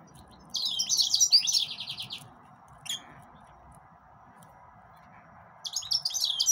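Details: Green singer, the yellow-fronted or Mozambique canary, singing a rich high warble that breaks into a rapid trill, a lone sharp chip, then the start of another twittering phrase, over a faint steady hum.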